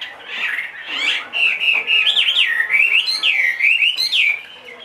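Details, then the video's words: Caged Chinese hwamei, a large-bodied two-and-a-half-year-old bird said to sing anywhere, delivering loud, clear whistled phrases that swoop up and down in rapid loops, running almost continuously for nearly five seconds. "hót mọi địa hình"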